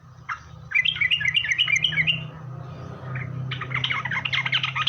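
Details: Sooty-headed bulbul song used as a lure to draw answers from other bulbuls: a short bubbly burst, then a run of warbled chirpy notes and a denser chattering phrase, over a steady low hum.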